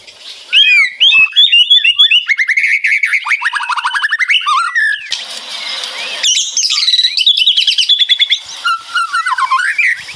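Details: Birds answering each other in white-rumped shama ngeretek song: fast rattling strings of clipped notes, wavering chatters and whistled flourishes running almost without a break.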